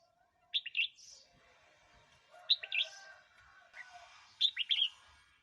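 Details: Red-whiskered bulbul song, recorded for playback to provoke new or wild birds or to teach young birds. It has three short bursts of bright, quick whistled notes, roughly two seconds apart, over a faint low hum.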